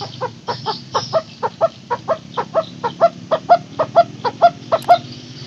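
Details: Barbet, known locally as takur teguk teguk, a long recording used as a lure for barbets that have stopped calling: a steady run of hollow, low knocking notes, about four each second, continuing without a break.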